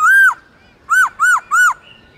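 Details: Song of a Black-throated laughingthrush, played to encourage pet birds to sing: one long arched whistle, a short pause, then three rapid matching arched whistles, each rising and then sliding down. The notes are loud and clean.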